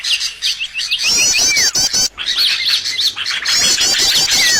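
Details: Trapping lure of bird sounds: rapid, high chirp series and trills with sweeping downslurred whistles, a brief pause near the middle, then dense twittering resumes.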